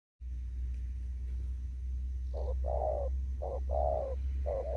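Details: Spotted dove, a wild bird still out in an upland field in Kon Tum, Vietnam, giving a đồng thúc gù coo: after a quiet start, short notes each followed by a longer mellow falling coo, over a steady low engine-like hum.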